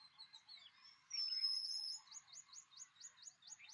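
A pied wheatear gives a high, thin whistle, then a quick series of short, sharp upslurred notes, about four per second, over faint background noise.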